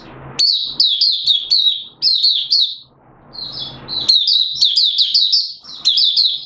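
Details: Mata puteh, Malaysian Oriental white-eye, singing buka sing in Singapore on 29 March 2023 amid warm, humid weather and sudden showers. Strings of rapid, piping, high notes run in phrases, with a brief quieter lull before a long lively burst.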